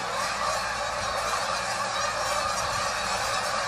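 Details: Loud goose flock met during a walk, a constant roaring chorus of many overlapping honking calls with no pauses, the separate voices blurred into one steady din.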